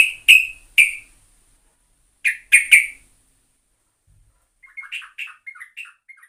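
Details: Yellow-vented bulbul (trucukan), lure recording: sharp ringing chirps in two small bursts, then a soft, jumbled run of quiet warbled notes toward the end.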